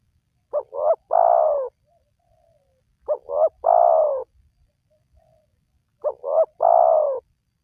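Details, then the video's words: Spotted dove call played to lure wild doves into calling: phrases of two short rising coos then a long, drawn-out falling coo, repeated about every three seconds, with a faint soft note between phrases; otherwise quiet. "Pemancing Burung Tekukur Yang Malas Bunyi,Langsung Rajin Bunyi"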